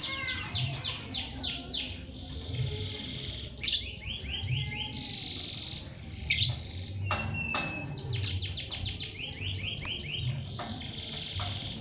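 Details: Lovebird chirping: long runs of rapid descending chirps alternating with brief squawks and sustained buzzy notes, continuing steadily for about twelve seconds over a low hum.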